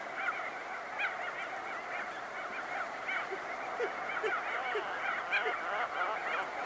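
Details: Close-up crested auklets calling as birds emerge from burrows: a dense colony chorus of nasal, honking notes, with rapid overlapping bursts and short lower yelps repeated roughly every second.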